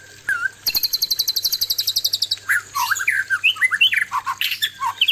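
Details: Male white-rumped shama singing while facing a fierce female: a fast rattle of evenly repeated high notes, then varied loud whistled slurs, rising and falling, in quick succession.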